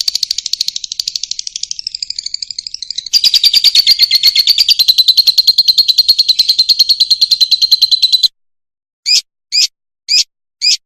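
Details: Fischer's lovebird singing, a recording used to teach young birds to sing cleanly: high, rapid buzzy chattering in long unbroken runs, shifting tone after about three seconds, then ending with four short separate bursts.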